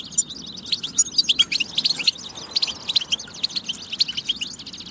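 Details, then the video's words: Tabtaba song attributed to a European goldfinch, used to rouse goldfinches to sing: high, rapid twittering with buzzy trills and thin whistled notes, somewhat softer and thinner than in louder passages. "بتبة فتاكة لتحفيز الحسون على التغريد والجهوزية"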